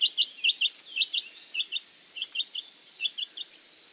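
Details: Domestic chicks cheeping in a steady stream of short, high, piercing peeps, often in pairs, some overlapping as several birds call, with no other sounds behind them.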